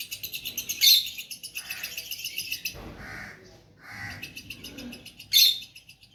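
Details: Two pet lovebirds chirping gently, with fast, high buzzy trills in rapid bursts, a couple of loud sharp squeaks, and quieter soft notes between the bursts.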